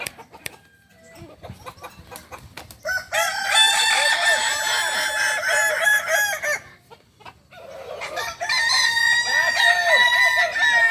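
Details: Kukuak balenggek roosters at a crowing contest final in Ampang Kualo, Solok city, on Sunday 8 September 2024. After a quiet start with scattered clicks, one bird gives a long, rich, multi-note crow, pauses briefly, then crows again at length.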